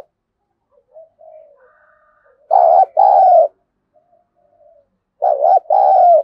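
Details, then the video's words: A spotted dove gives fighting-contest coos: quiet low murmured notes lead into two bursts of loud, deep paired cooing, around three seconds apart, with a clean silent background. "tiếng chim cu gáy thúc đấu vấy bổi nghe nhanh gáy và gấy ức chế cao"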